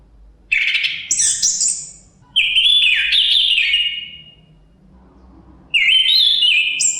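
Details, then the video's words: A chestnut-capped thrush sings varied, high whistled phrases. A trilled opening is followed by a long, rich slurred whistle, a pause, then another rising phrase, all over a faint wind rumble. "Suara Kicauan Burung Terapi Anis Kembang Ada Suara Angin"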